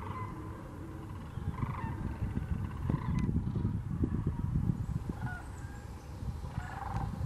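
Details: Sandhill and whooping cranes at Wheeler National Wildlife Refuge, Alabama, on 14 December 2019, giving rolling, trumpeting calls in scattered bursts from a flock, partly buried under a steady low rumble of wind.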